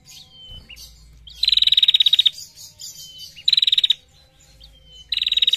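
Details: Female bar-winged prinia in full ngetir, giving loud, fast, metallic pulsed trills of up to a second, three bursts in quick succession, separated by short downslurred whistles.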